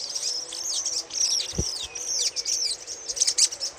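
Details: Chattering of a little spiderhunter played as a lure: fast, high, squeaky twitters and slurred notes pouring out almost without pause, with one low thump midway.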